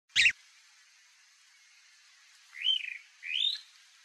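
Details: Chalk-browed mockingbird (Mimus saturninus) calling: a sharp, harsh chip, a pause, then two short arched whistled notes rising and falling, over a steady faint hiss.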